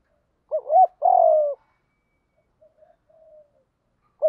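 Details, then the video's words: Spotted dove, giọng đồng voice, giving a continuous fighting coo to lure wild doves; one full phrase of a quick double note and a long falling coo, faint soft murmurs after, then the start of the next phrase. "Chim cu gáy giọng đồng gù đấu liên tục dúp bổi ức chế rất cao"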